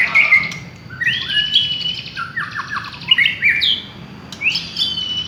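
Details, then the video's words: Village white-rumped shama lure song: ringing whistled notes, a buzzy trilled section in the middle, then sharp upswept whistles, all in lively, varied phrases. "Pancingan suara burung murai batu kampung"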